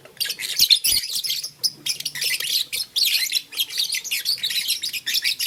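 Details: Blue, lutino and green pet lovebirds at play with a flower in the morning chatter in near-continuous shrill, rasping chirps with rapid fluttering twitters.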